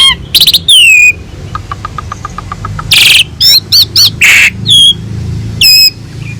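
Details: Singing Asian pied starling, recorded as rich training material for other songbirds: loud whistles and harsh bursts framing a soft series of about ten evenly spaced ticking notes, then more clear whistles and grating squawks.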